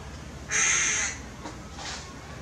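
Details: Tame hooded crow from Maalot-Tarshiha, Israel: a single drawn-out rasping caw of about half a second, broad and noisy, with a softer faint echo-like sound after it.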